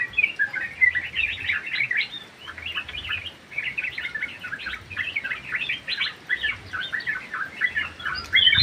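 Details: Aviary-kept sooty-headed bulbul in lively song: rapid clusters of bright chirps and brief whistles packed closely together, steady chatter for the whole stretch, with a soft thump at the very end.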